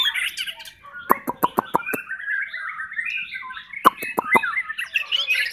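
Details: Spanish canary song: a flowing warbled line broken by a series of sharp, clicking notes, then more clicks and a rising burst of chattering phrases.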